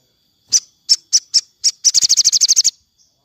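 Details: Sogon in the afternoon, used to train captive birds: five separate high notes spaced evenly, then a quick run of about ten high notes in a rapid trill.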